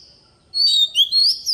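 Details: Forest-style song of a decoy Oriental magpie-robin, meant for voice training of young birds: after quiet, a burst of bright whistled phrases, rising and falling slurs with sharp buzzy accents, delivered fast and clean.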